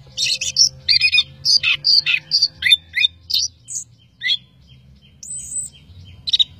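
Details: Orange-headed thrush in gacor master song with plentiful fill: a fast, chattering stream of varied high notes, several per second, then sparser calls and one long flat whistle before a final burst.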